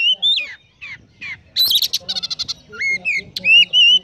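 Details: Oriental magpie-robin singing 'konslet' style, full of sparrow-like mimicry: clear descending whistles, then a buzzy rattling chatter, then loud rising and wavering whistles in quick succession.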